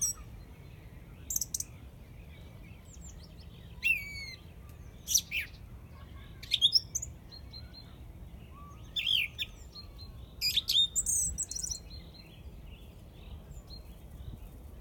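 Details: Song thrush singing in Izmailovo: short, loud, high phrases, some whistled and some chirpy, come in separate bursts with pauses of one to three seconds between them. A faint lower whistle and a steady low background hum are also heard.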